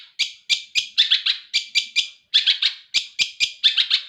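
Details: Caged long-tailed shrike, hand-reared from a nestling, pouring out rapid harsh chattering notes in quick groups of two to four, each scratchy and bright, with brief pauses between bursts.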